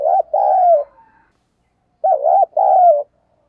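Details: Decoy spotted dove luring wild doves toward a trap, stated 'thổ' voice. Two full phrases, each a warbling coo followed by a drawn-out falling croo, about two seconds apart in a quiet setting.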